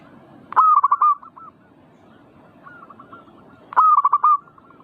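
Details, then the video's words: Zebra dove song used to provoke singing: two strong bursts of fast, bubbling coo notes about three seconds apart, with a quieter dove answering with a similar run in between. "Pancing Emosi burung perkutut bikin cepat Gacor rajin bunyi manggung"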